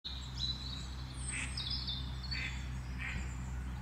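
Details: A hawfinch in Helmond on 1 March 2012 gives thin, high, clipped calls at irregular intervals, over a steady low rumble of background noise.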